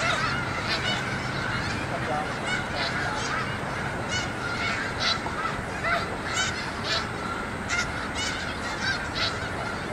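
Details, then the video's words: Large migrating flock of snow geese on a school yard: a constant din of overlapping honks, with sharper individual yelping calls bursting out every second or so above the steady crowd noise. "Snow Geese Invation"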